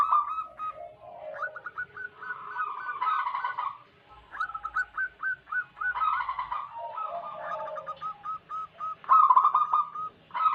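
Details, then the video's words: Local wild zebra doves in chorus as a lure for wild doves: overlapping trains of rapid staccato cooing notes, about four per second, in repeated bursts separated by brief gaps. "Lokal Alam gacor pancingan pikat burung perkutut Paling ampuh."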